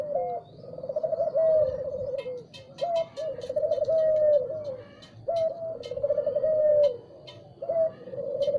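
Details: Spotted dove singing in the morning: repeated low cooing phrases, each a soft rising note then a rolling, slightly falling coo, about every two to three seconds, with brief high chirps from other birds above.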